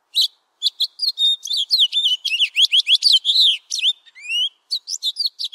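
A finch's bright, rapid song of high twittering notes and quick rising and falling whistles, delivered in dense bursts with brief pauses.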